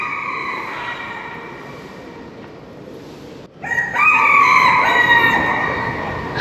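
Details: Rooster crowing at Batu Caves, Kuala Lumpur, Malaysia, kept in a small green cage with many others around; after a quieter stretch a loud harmonic crow bursts in and holds, its rising then sustained notes drowning out the voices.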